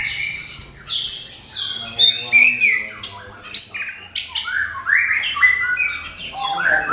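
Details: Orange-headed thrush song used as a lure to provoke other birds to sing: a rich, fast run of varied whistles, slurred notes and short trills, loud and continuous with shifting pitch throughout.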